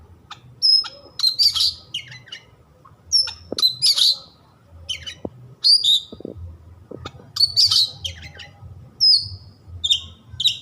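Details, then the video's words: White-rumped shama, a kept songbird, alternating pure high whistles with loud rasping, chattering bursts in irregular phrases, with a few clicks and knocks in the background over a low hum. "100% Nyambar Kacer anda setelah mendengar suara kacer yang satu ini."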